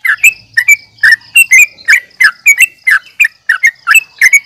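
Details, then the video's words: Fighting call of a yellow-vented bulbul in the nggaruda uplik tarung manner, for provoking rivals: cheerful gurgled notes fired in rapid pairs and triplets, steady and insistent, over a low-level high-pitched hum. "trucukan gacor NGGARUDA UPLIK TARUNG"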